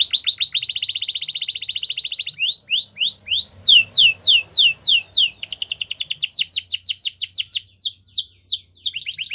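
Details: Belgian canary song used to set other canaries singing: a rapid steady rolling trill, a string of separate rising whistles, then loud slower downward sweeps and another quick rattling series.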